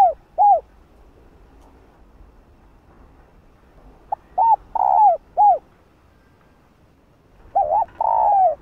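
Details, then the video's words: Hen spotted dove cooing to call and rouse a male, giving soft hooked coo notes in loose groups, one burst of four notes midway and a final phrase ending in a long, even, falling coo, with silent gaps between. "Chim cu gáy thúc trống,gọi trống đưa trống lên đỉnh | cu mái gáy"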